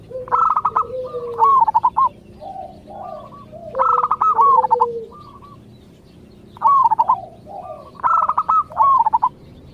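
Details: Local zebra dove singing to draw replies from other zebra doves: bright rolling cooing phrases repeated about every two to three seconds, mixed with softer, lower coos between them.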